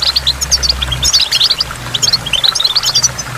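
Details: Rapid high chirping and twittering from a goldfinch near a waterfall, notes tumbling in quick clusters over a steady watery background.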